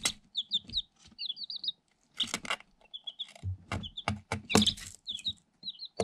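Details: Eight day-old Light Sussex chicks, incubator-hatched, in a cardboard box, energetic and pecking at a camera hole; high thin peeps in quick bursts and short trills, mixed with loud pecking taps and scratchy rustling.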